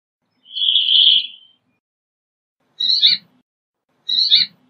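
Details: One buzzy drawn-out wheeze from a Brambling, followed by two harsher, chattering call notes more than a second apart, with faint low rustling.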